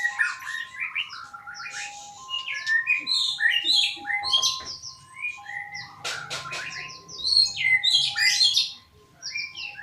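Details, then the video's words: Continuous varied Magpie-robin song: rapid chirps, whistles and trills packed densely, with a few clicking sounds and a constant background tone. "Kicauan murai merdu sekali"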